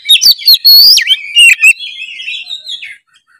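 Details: White-rumped shama singing as a lure for other birds: loud clipped notes and sweeping whistles, then a long, softer warbling phrase that fades out.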